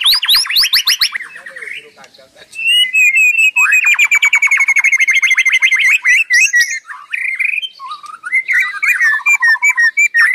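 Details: White-rumped shama singing tirelessly, fast trills and buzzy rattles, a long level whistle over a rapid trill, then slurred descending notes and mixed whistled phrases.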